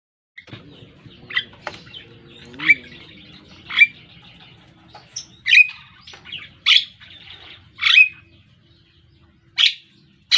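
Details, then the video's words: Javan myna, a black, yellow-billed pet songbird learning to sing prolifically, gives scattered harsh, buzzy squawks and short whistled notes, about one burst every three seconds, over a low background hum. "Suara Burung Jalak Kerbau / Kebo....Belajar Gacor..."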